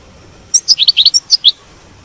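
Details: Short burst of European goldfinch batbata twittering, used to prompt a captive goldfinch to keep singing: about nine quick, bright chirps in under a second, surrounded by silence.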